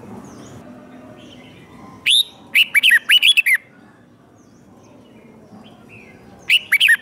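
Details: Captive red-whiskered bulbul singing its fighting song to stimulate other birds: a sharp note, then a fast string of curling whistles, a long quiet gap, and another rapid phrase at the end.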